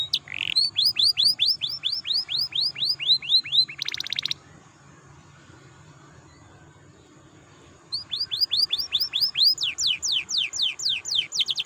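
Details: Canary lure song played to stimulate other canaries to sing: fast runs of bright, high descending notes in rapid trills, a brief buzzy burst, a pause of several seconds, then more trilling.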